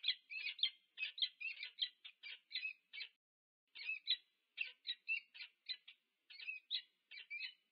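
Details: Peregrine falcon pair greeting at their nest at UC Berkeley, USA, on 2 November 2022, recorded by nest cam; rapid, harsh chattering series of scratchy notes in two bursts separated by a brief pause.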